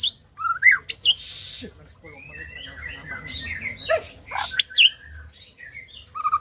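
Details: White-rumped shama song, meant to stimulate silent birds to sing: scattered sharp high notes, upward swoops and a harsh rasping burst, with quieter warbling between them.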